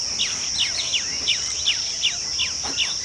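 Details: Rapid string of short downslurred chirps from a chestnut-tailed starling, evenly repeated roughly every third of a second, with a constant high-pitched buzzing drone behind.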